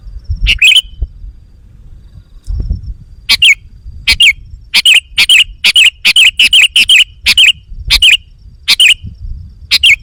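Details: Sooty-headed bulbul lure call, played to provoke wild bulbuls: after a quiet start, a long run of short, loud, bubbly whistled notes repeats at a quickening pace, about fifteen bursts, over low background rumble.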